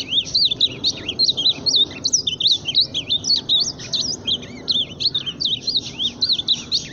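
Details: Ultramarine grosbeak singing loudly: a fast run of warbled, up-and-down whistled notes, high-pitched and nearly continuous, with no other clear sounds.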